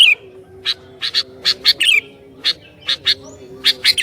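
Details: Sooty-headed bulbul in full voice, meant to draw other bulbuls: spaced bright chirps and a few quick slurred twittering notes over about four seconds, steady faint hum below.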